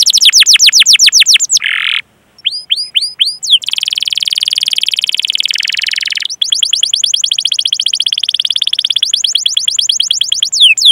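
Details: A singing canary in long 'cuit cuit' and rolling 'ngerol' style, meant to train other canaries to sing. Rapid runs of falling whistled notes alternate with buzzy sustained passages and a brief silent gap, with fast trills resuming.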